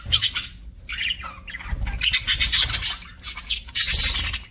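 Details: Budgerigars chirping happily, a fast, irregular stream of raspy squawks and bright chirps, about four notes a second, with loud grating bursts near the middle and end.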